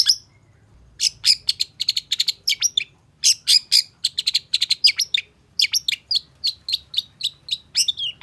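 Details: Long-tailed shrike in lively, emotional song as it reacts to an opposing shrike: after a brief opening note and a pause, a long, fast series of clipped, high, rasping chirps and whistled slurs follows in quick succession.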